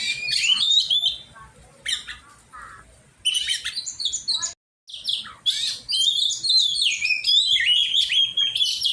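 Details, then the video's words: Oriental magpie-robin during song training, scratchy chatter bursts with short pauses, then a dense run of warbled whistled notes near four kilohertz. "cara melatih burung kacer"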